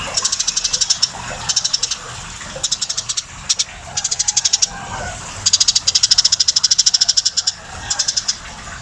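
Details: Very tame Eurasian tree sparrow in full voice, delivering clustered runs of quick, sharp, ticking chirps, each burst lasting about half a second to two seconds, separated by brief quiet gaps.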